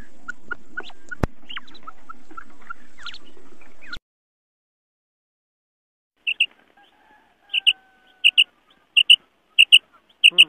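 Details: A female quail's call, used in Pakistan to lure male quail, gives short, high, clipped notes, often in pairs, about once a second, after a few seconds of hiss with scattered chirps.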